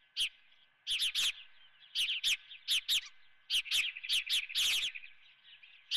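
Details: Osprey at its nest with a live fish for breakfast, at Dunrovin; loud, sharp chirps come in quick clustered bursts, about a dozen in six seconds, over constant high-pitched twittering in the background.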